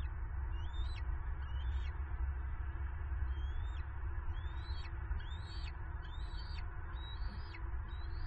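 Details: Bald eagle eaglets on the nest at dusk, squeeing in hope of a late food delivery as the adult male lands nearby: thin rising whistled squeals repeated about once a second over steady low wind rumble.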